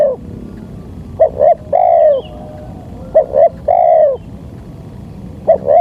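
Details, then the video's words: Spotted dove cooing used as a lure to draw wild doves in for trapping: paired short notes leading into a longer sagging coo, phrases recurring roughly every two seconds over quiet low rumble. "Pancingan suara tekukur"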